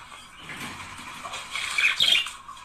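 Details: Budgerigar pair warbling to encourage mating: a quiet, scratchy chatter builds into a louder burst of squeaky, whistled notes near the end.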